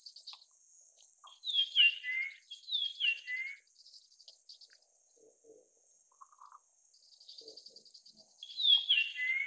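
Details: Japanese grosbeak (Eophona personata) giving clear whistled notes that slide downward, in a quick cluster of three or four around the second and third seconds and again near the end, over a constant high, insect-like hiss.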